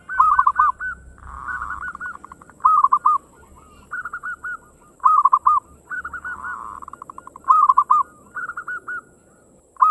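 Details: Zebra dove of the local variety singing fast 'ngayer engkel' phrases to stimulate others to sing: dense, overlapping pulsed coos in quick succession, loud rolling phrases alternating with buzzier stretches, over a faint constant high tone.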